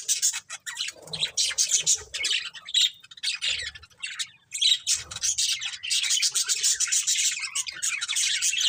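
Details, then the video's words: Budgies of a breeding pair producing harsh, squawky chirps and grating warbles in an almost unbroken, high-pitched stream, briefly dipping twice before building again. "Cute Budgies Chirping Sounds"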